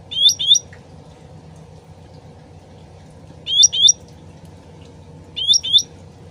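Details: Cucak ranting, the sooty-headed bulbul, gives three doubled whistles with quick upslurred notes, spaced about two to three seconds apart, against a continuous soft background of trickling water.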